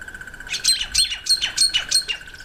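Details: Red bishop in breeding season (October to November), when males turn black and red and nest in reeds over water: a quick run of sharp, squeaky chirps repeated several times a second, over a steady pulsing insect or frog chorus.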